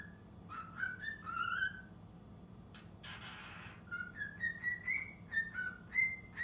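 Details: Six-month-old cockatiel working on the Totoro tune. Rising whistled phrases, a short burst of rustling noise midway, then a quick sequence of clear stepping notes to the end.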